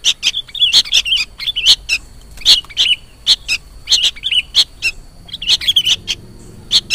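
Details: Young sooty-headed bulbul begging calls used as a bird-trapping lure: rapid high chirps and squeaky warbled notes repeating almost continuously in short clusters, bright and insistent, over a quiet background hum.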